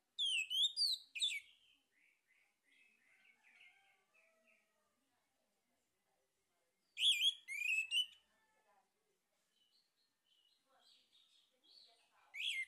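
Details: Orange-headed thrush male song, used as a lure to trigger singing: loud bursts of squeaky, rising whistles recur about every six seconds, each trailing into soft, quick twittering.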